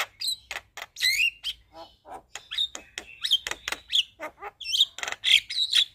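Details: Javan myna in lively, varied song packed with 'isian' fill-in phrases that should draw a reply from silent mynas; a rapid jumble of clicks, harsh squawks and sharp whistled slurs with almost no pause.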